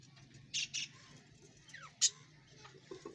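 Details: Pet budgerigar colony kept alongside small chickens after a change in season: short, bright chirps and a quick falling squeak over soft colony chatter, with a low steady hum underneath.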